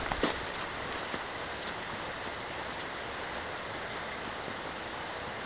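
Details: Continuous rushing of a stream with a few faint clicks, and no animal calls.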